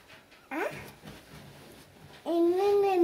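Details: Grey parrot indoors during breakfast: a short rising squawk, quiet murmuring, then a long, steady, tonal whistled call with rich harmonics.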